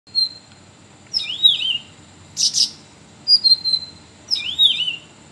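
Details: Sooty-headed bulbul singing a varied song, recorded as training material for other songbirds: bright whistled notes sliding down and up near the top of the range, alternating with short harsh rasping bursts, repeated roughly every second.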